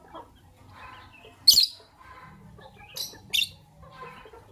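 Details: Two Fischer's lovebirds, white albino and pastel green, in the morning: a sharp shrill shriek, quieter chattering, then a quick pair of piercing squeaks, with a low background hum.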